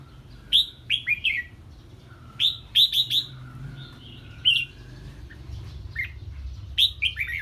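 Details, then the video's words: Red-whiskered bulbul answering an unfamiliar bird with repeated short phrases of three or four bright, down-slurred whistles, separated by pauses of about two seconds, with a faint lower whistled note in the background. "Chào Mào Hót Ché Khi Nghe Tiếng Chim Lạ"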